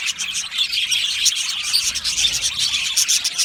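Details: Australian budgies in a colony aviary chirping and singing; a short burst of busy, overlapping twitters and bright tweets, many voices blending into one fast chatter.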